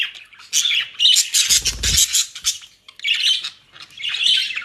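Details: Pet budgerigars in the Netherlands enjoying dry leaves and grass bought at a bird shop. Loud, harsh warbling chatter plays over a burst of rustling and crunching at the middle, then more scratchy squawks follow.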